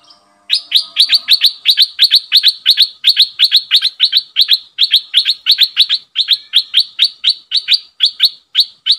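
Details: Red-eyed bulbul used as a decoy to lure wild birds. It gives a long, steady run of sharp, high chip notes at about three per second, continuing without pause for over eight seconds, after a faint low hum at the start.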